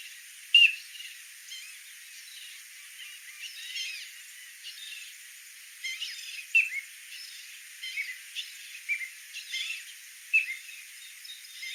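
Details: Piping plover of the Fire Island beach shoreline, New York, giving its distinctive piping call, a few short, clear, high whistled notes spaced several seconds apart, faint over a steady background hiss.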